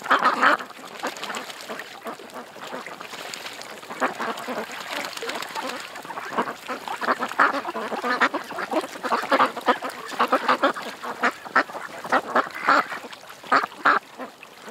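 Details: A creekside flock of ducks quacks on and off, with quieter murmuring in the middle and louder bursts of quacking toward the end.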